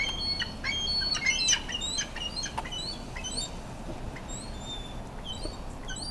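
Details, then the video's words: Ring-billed and Iceland gulls in a feeding frenzy, the large Iceland gull eating the food and fighting others; a busy chorus of overlapping high, sharp mewing calls from many birds, some loud and some distant, over a low rumbling background. "Seagulls gone W I L D"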